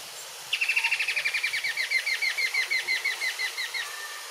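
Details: An adult Straight-billed Woodcreeper (Dendroplex picus picus) of undetermined sex sings a fast, even series of about twenty ringing, slightly falling notes over three seconds, otherwise quiet; near Zoo-refuge de Guyane, French Guiana, 5 November 2023, 12:35.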